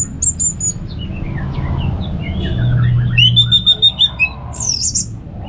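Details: Ngeplong singing of an Orange-headed thrush from North Bali, used to lure kept birds into song: soft descending notes, then a rhythmic run of repeated chirps and a high slurred note, over a low hum.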